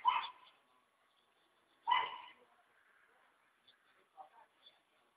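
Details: Free-living hyacinth macaw at a country property in Ilha Solteira, on the Paraná River in Brazil, utters two loud raspy squawks about two seconds apart, followed by soft brief chattering notes.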